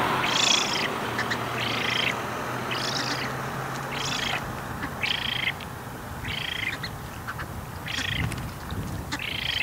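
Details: Young Eurasian spoonbill begging for food at Bislicher Insel on 12 September 2021 at 15:35, recorded with a Canon EOS R5: harsh, rasping bursts repeated about every second and a half over steady low background rumble.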